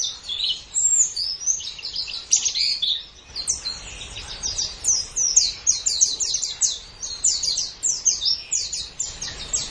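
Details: White-eye tutor song for training caged birds, best played in morning or evening: a continuous high twittering of quick chirps and short trills, thin descending notes running steadily throughout.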